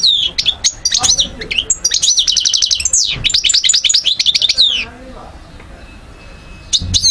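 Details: Algerian European goldfinch singing in 2012: dense, rapid chattering with fast repeated ringing trills and twanging downslurred notes, ending in a quiet stretch before a last short twitter.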